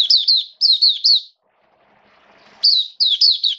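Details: High, rapid twittering phrases from an Oriental white-eye kept as a songbird during rainy weather, two bursts of tumbling chirps with a silent gap between them.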